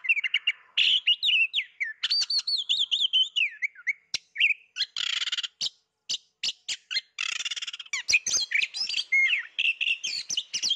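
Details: Kacer, the Oriental magpie-robin, singing vigorously while unseen, pouring out loud sweeping whistles, slurred rising and falling notes, harsh rasping bursts and scattered sharp clicks with barely a break.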